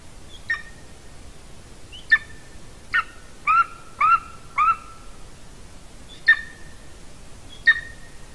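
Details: Golden eagle calling at its nest in Latvia, recorded by a nest cam on 30 January 2019 at about 14:24: eight piercing yelps, a middle run of three longer two-part whistled notes, the others brief with trailing tones.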